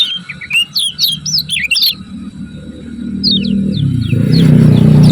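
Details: Lemon-bellied white-eye from Lombok giving a lively two-second twitter of high, looping notes, a few later chirps, as a low rumbling noise swells.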